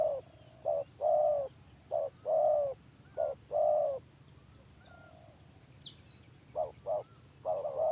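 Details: Village spotted dove delivering 'gagap' stutter song: a cluster of short coos, then a quiet pause of about two seconds, then further clipped notes; faint distant chirps and steady hiss fill the gap.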